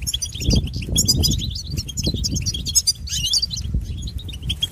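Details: European goldfinch, noted for imitating other birds, pouring out a continuous jumble of high, tinkling twitters and rapid trills, with persistent low rumbling and thumps in the background.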